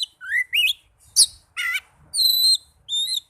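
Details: Young magpie-robin song made of rising whistled slurs, a buzzy harsh note, and two drawn-out pure high whistles, each phrase set apart by a gap.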